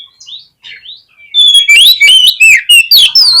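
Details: A fight-provoking oriental magpie-robin song: a few quiet upslurred whistles, then a rapid, loud string of clear descending whistles mixed with harsh, scratchy chatter, about four notes a second.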